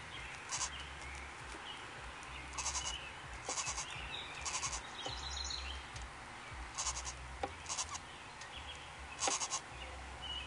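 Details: Five-day-old yellow-shafted Northern flicker nestlings, five in a backyard nest box, give harsh, hissing buzzy bursts in chorus, roughly every second or two, over a low steady hum.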